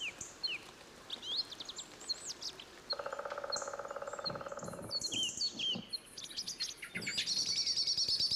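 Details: Thrushes sing calmly in light drizzle in a shady Cantabrian beech forest: varied, clear whistled phrases with short high twitters, broken by a low, buzzy pulsed note midway and a hissing, rain-like wash near the end.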